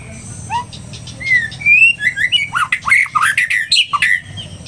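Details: White-rumped shama in an agitated state: soft thin opening whistles build into a dense, loud sequence of sweeping whistles and sharp chirps delivered in quick, rhythmic bursts over a low background hum.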